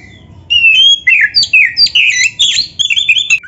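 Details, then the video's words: Loud white-rumped shama song: clear sweeping whistles and slurred phrases delivered in rapid succession, with rising and falling notes and brief sharp twitters. "MASTERAN KACER GACOR FULL ISIAN"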